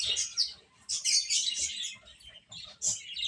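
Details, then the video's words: Baby hens peeping while they eat and play, sharp high chirps in three loud bursts separated by short softer lulls. "Cute Chicks Eating and Playing | Baby Hen Chirping Sounds"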